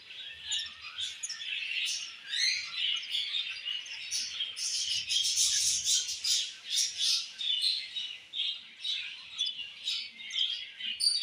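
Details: Budgerigar chick fed by its mother: harsh, buzzy squawking chirps that settle into a pulsing rhythm, about two bursts per second, growing louder midway, with soft low rustles.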